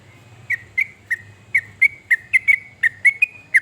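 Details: Trucuk, the yellow-vented bulbul, singing in a recording meant to prompt other birds to sing: spaced clear whistled chirps with slight slurs, roughly every third of a second, over a soft low hum.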